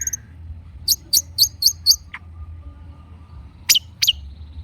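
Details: Long-tailed shrike singing actively, used as a lure to prompt a silent shrike to answer: a faint whistle, then a quick series of five sharp high chirps, a lone mid note, and two more sharp chirps after a pause over a low hum.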